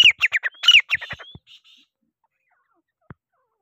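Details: Irani teetar, the grey francolin, gives two loud harsh phrases of rapid descending notes with a short rising whistle between them, then falls silent apart from a single faint click.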